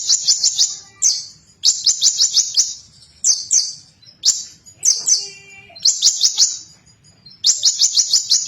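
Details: Loud konin song meant to provoke rival birds: repeated bursts of fast, shrill buzzy notes, each burst lasting about a second, with short gaps and occasional lower whistles between them.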